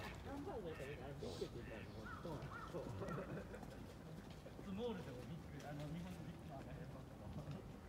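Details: Eastern spot-billed ducks gather at one duck's call, giving a steady run of low, nasal, overlapping quacks and chatter. There is a faint outdoor background and possibly a human voice.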